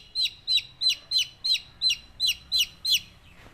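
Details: Baby chickens chirping: a steady series of ten high, thin peeps, each sliding downward, spaced about a third of a second apart in a quiet setting.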